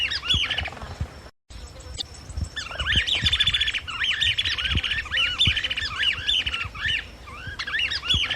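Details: A Chapada flycatcher (Suiriri affinis) gives rapid, scratchy, squeaky notes rising and falling in quick bursts, several times a second, with low thumps and rustling behind.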